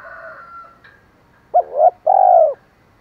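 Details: Spotted dove giving a 'thổ pha thúc' call meant to draw in wild birds: a brief hooked note slides into a rising coo, then one long, arched, husky coo follows, after a faint whistle-like hum.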